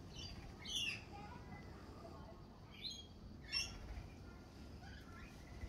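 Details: At a cafe in spring, lorikeets utter three sharp, piercing, rasping screeches spaced a couple of seconds apart, with quieter chatter and a low steady hum in between.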